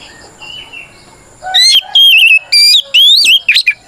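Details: Oriental magpie-robin (kacer) in full, fighting-style song meant to call out a rival; faint soft whistles for the first second and a half, then five loud, clear whistled phrases sliding and warbling between high and mid pitch.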